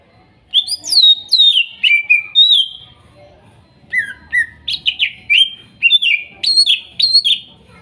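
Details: Wild-caught young greater green leafbirds from Kuningan singing for a bird that went quiet: a continuous, varied stream of crisp downward-sweeping whistles and chirps, roughly two per second.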